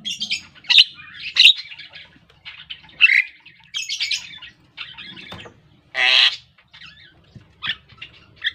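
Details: Javan myna, black with a yellow bill, producing a jumbled mix of squeaky whistles, harsh rasps and one long noisy screech, with short pauses between phrases.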